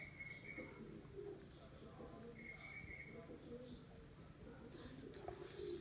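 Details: Rescued two-day-old baby pigeon, abandoned by its mother, gives thin, high squeaks in short drawn-out bursts every second or so, over a low indoor hum.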